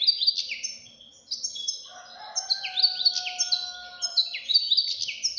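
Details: Young European goldfinch in energetic song: quick sparkling twitters and repeated downslurred chirps, while a second, lower, drawn-out whistled tone runs steadily beneath the middle of the phrase.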